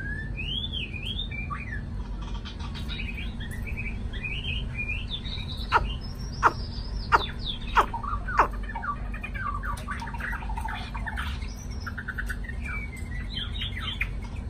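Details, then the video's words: Newly caught White-browed laughingthrush, a male already singing quietly, gives varied, rising and falling whistled phrases; a few sharp taps land midway, over a steady low hum. "Mi mộc mới có chiều 1 chú đã hót trộm"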